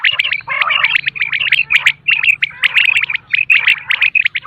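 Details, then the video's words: Morning calling of common quail, used for hunting: rapid runs of short, sharp whistled notes, closely packed and repeated throughout, with a brief grating burst early on and a faint low hum underneath. "Morning Quail Call 2025 صوت السمان واضح للصيد Batair Ki Awaz بٹیر کا شکار"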